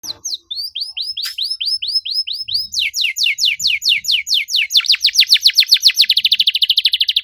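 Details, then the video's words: Canary singing a dense 'cuit cuit' lure song meant to spur a silent canary into constant singing: upslurred whistled notes about four per second, then steeper downward-sweeping notes, closing in a rapid buzzy trill. "PANCINGAN KENARI MACET GACOR NEMBAK RAPAT CUIT CUIT"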